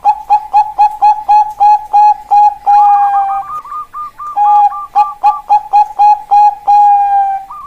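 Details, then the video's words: Zebra dove, a Bangkok-type perkutut, singing: a fast run of short clipped coos about three or four per second, broken by a longer held note and a quick wavering trill, then resuming the rapid cooing. "Suara Perkutut Bangkok Berkelas"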